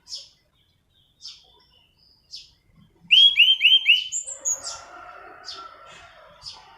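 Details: Orange-banded thrush singing its rolling song, used for luring and tutoring: spaced high chips, then four quick falling whistles in a row and a high slur, trailing into soft chatter and more chips.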